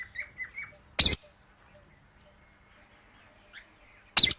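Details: Indian ringneck parakeet giving two isolated, harsh squawks about three seconds apart, with faint short chirps before and between them.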